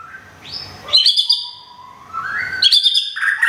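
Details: White-rumped shama, a Thai bird from Thung Song kept in care and regrowing feathers after a molt, gives loud whistled song: a high clear phrase, then a long slowly rising whistle, ending in rich fluty notes.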